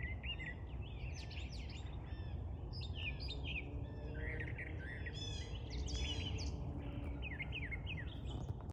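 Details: Small bird in loud song, a continuous tumbling jumble of sharp chirps, quick trills and upsweeping notes, varied and rapid throughout, over constant low-pitched background rumble.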